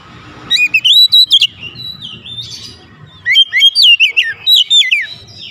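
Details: A lure recording of oriental magpie-robin song meant to raise excitement: bursts of bright, sliding whistles and clicks, a quieter pause with soft warbling, then another energetic run of rising and falling notes.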